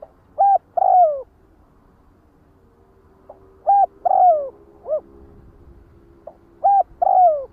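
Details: Three repeated phrases of a spotted dove calling its flock. Short coos frame a longer, buzzy, descending middle coo, with gaps of one to two seconds between phrases.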